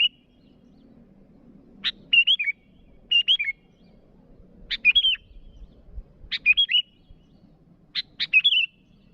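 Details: Calls of a sooty-headed bulbul aimed at rivals: a brief harsh note leading into bubbly whistled phrases, repeated roughly every one to two seconds against a quiet low murmur.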